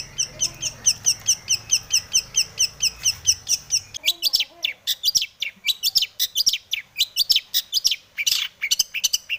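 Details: Long-tailed shrike lure song: first a steady run of quick, evenly spaced high chirps, then an abrupt shift to a jumbled burst of sharp, varied notes and short trills.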